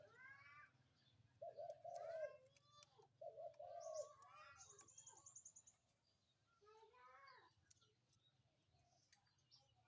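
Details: Spotted dove heard calling in the morning with a few mellow coo phrases, mixed with busy chirping and trilling of other birds and a low background hum.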